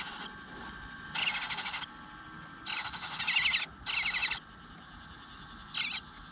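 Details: Eastern bluebird nestling in a nest begging for food on a June morning, 9:10 am, going unfed for a while: harsh, buzzy, rasping bursts about half a second long, several in a row, with faint chirps of other birds in the background.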